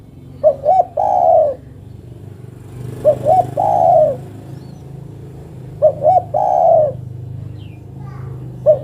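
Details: Female spotted dove calling to the male: phrases of two short clipped coos followed by one long, slurred, falling coo, repeated roughly every three seconds, over a steady low hum.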